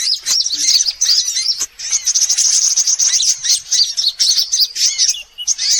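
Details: Sunbird lure recording mixing calls of all sunbird kinds, used to attract birds: dense, continuous high thin twittering and sharp chirps overlapping, with brief gaps near two and five and a half seconds.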